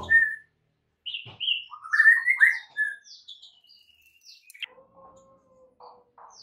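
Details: White-rumped shama master song for training silent caged birds to sing and become agitated; a sharp note, then a cluster of warbled whistles, fading into thin high notes and soft low tones.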